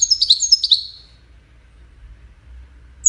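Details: European goldfinch singing a Widani-style song meant for chicks to hear and learn: a brief burst of high, liquid twittering notes lasting about a second, then near-silence, with one sharp note at the end.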